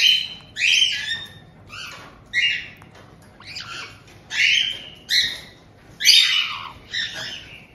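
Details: Caged white-bellied caiques in Tokachi, Hokkaido, June 2023, with the resident pair welcoming a two-month-old youngster: a steady run of loud, rasping squawks, around eight bursts at intervals of about a second.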